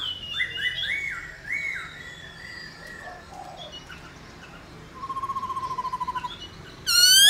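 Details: Black-throated laughingthrush song for stimulating other laughingthrushes: soft whistled phrases at first, then a fast even trill lasting over a second, ending in a sudden loud high sharp note.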